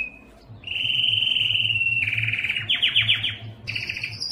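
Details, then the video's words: Yellow canary singing a smooth whistled roll that turns into quick falling swept notes, finishing with a higher thin trill; faint low hum in the background. "yellow canary singing"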